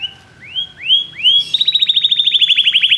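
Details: Four rising whistled swoops from a Belgian canary, each louder than the last, leading into a quick rhythmic trill of repeated upslurred notes.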